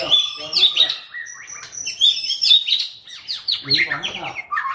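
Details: White-rumped shama of the Medan type giving a booming chattering song: a fast, varied stream of clear whistles, downslurred notes and rattling phrases, continuous and loud.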